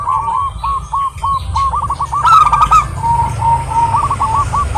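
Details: Female zebra dove of a local Indonesian strain calling a male, giving quick chains of short coos that swell into a louder rolling burst midway before trailing into further clipped notes, with a low hum behind.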